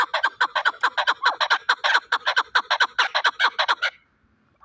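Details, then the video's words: A fighting chukar partridge of Shahritus, Tajikistan, repeats loud, evenly spaced chuk-chuk notes for about four seconds, a steady rhythmic cackle that stops abruptly, leaving near silence. "Кабки Шаҳритус ҷангӣ"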